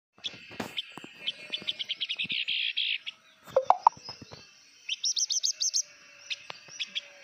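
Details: Blue-winged minla (Actinodura cyanouroptera) song: rapid runs of high, sweet whistled notes, about ten per burst, in repeated phrases, with some sharp clicks and knocks in between.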